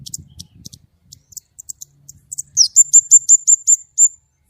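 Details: White-rumped shama singing 'gacor nembak' with a clear voice: scattered high clicks and chirps over a faint low rumble, then a loud rapid string of about eight identical piercing high notes.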